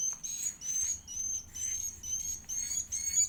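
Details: Begging from an edible-nest swiftlet chick at feeding time: steady, very high, thin whining notes rising slightly, in repeated bursts a little over two per second, against a quiet low hum.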